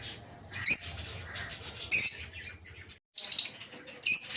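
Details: Captive rosy-faced lovebirds in a breeding aviary give a few sharp high squawks spaced about a second apart above a steady low hum.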